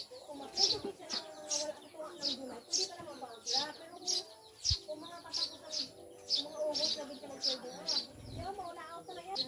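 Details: Several Eurasian tree sparrows (Maya) kept as new pets give sharp, high chirps about twice a second. The chirps come in bright bursts over a lower murmur of other sounds.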